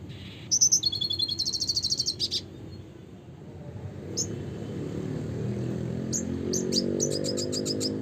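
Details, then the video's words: Red siskin singing in a classic, vigorous style: a run of high, thin twittering notes, then scattered sharp chips that build into a quick repeated series near the end, over a steady low rumble like distant traffic. "suara kicauan burung red siskin klasik gacor (spinus cucullatus)"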